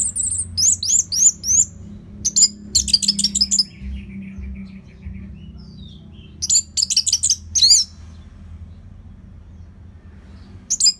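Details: Orange-headed thrush song from northern Bali, used to train other birds: fast bursts of high, sharp, downslurred notes in rapid clusters, separated by quiet gaps, over a low background hum.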